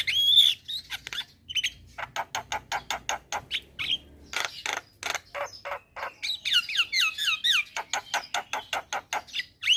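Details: Javan myna (jalak kebo) delivering a long, busy song: steady trains of dry clicks and chatters interspersed with short whistles and a run of quick, twisting notes.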